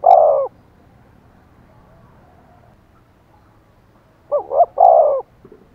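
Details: Decoy spotted dove provoking wild doves to coo back; a loud hoarse coo opens, followed after a long quiet gap by a rising double note and a longer coo, with a faint trailing note.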